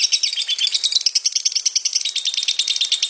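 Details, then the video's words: Lovebird ngekek: a continuous harsh, buzzy chatter of rapid rasping notes, about four per second, steady and unbroken throughout. "Suara Burung lovebird ngekek kasar dan panjang"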